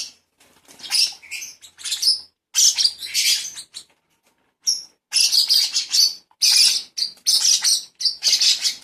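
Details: Baby lovebird during hand-feeding keeps up dense, grating high-pitched squawks in long rapid runs, broken by a brief quiet spell near the middle before resuming continuously.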